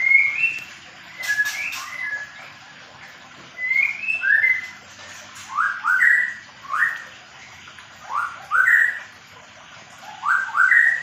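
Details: White-rumped shama of the Medan type, in a small aviary during pairing: clear, slurred whistled phrases rising and falling, repeated about every one to two seconds, over a steady background hiss.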